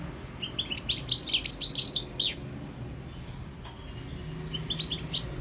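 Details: European goldfinch delivering a rapid tumble of high twittering and buzzy chirps for about two seconds, then near quiet before a few softer twitters return.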